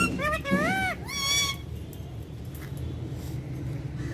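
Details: Pet Indian ringneck parakeet talking in a courtyard in Urdu/Hindi. A short run of nasal, speech-like syllables with harmonic, arching tones over about a second and a half, then quiet low background rumble.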